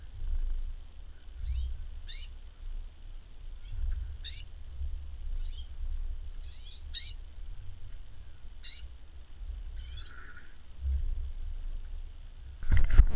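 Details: Female Gloster canary, Consort type, recorded in 2013. It gives short, sharp, high chirps at irregular intervals over a steady low hum, with a clattering knock at the end.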